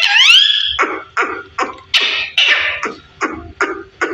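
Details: A fifteen-year-old parrot talking indoors: a long rising whistled note, then a run of short, harsh, syllable-like bursts about every half second, voice-like but not clear speech.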